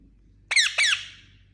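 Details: Indian ringneck parakeet: two harsh, high squawking notes in close succession, the second trailing off into a fading rasp, in a quiet setting.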